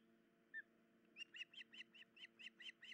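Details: Osprey at a nest, the female injured in the leg or foot and unable to hold fish to feed her chicks; a series of rapid, high, chirping whistles repeated about five times a second after a lone note, over a steady low hum.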